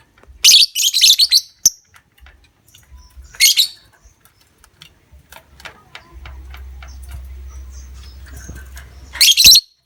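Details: Lovebird call used to prompt other lovebirds into extended ngekek trilling: a rapid, raspy, high-pitched chattering run, a shorter burst, then a faint low hum before a final shrill burst.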